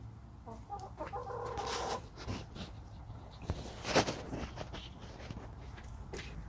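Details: Backyard hens kept in a pen, calling softly while their owner sits among them: a drawn-out, nasal, wavering call lasting about a second and a half, then scattered soft clucks, scratching and rustling close by.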